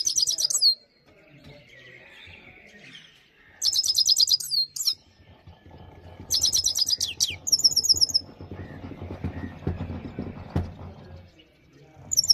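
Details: Himalayan goldfinch song in repeated short bursts of fast, tinkling, high-pitched notes, with a steady low rumbling background noise in the middle stretch.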